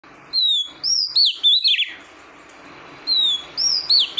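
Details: Female oriental magpie-robin calling to stimulate the male: two bouts of clear high whistles, each opening with a long slightly falling note, then quick slurred and rising-falling notes, separated by a pause of about a second.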